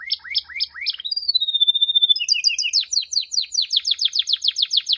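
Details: Canary song opening with four rising sweeps, then a long smooth descending whistle, and ending in a fast, bright, rhythmic trill of repeated notes.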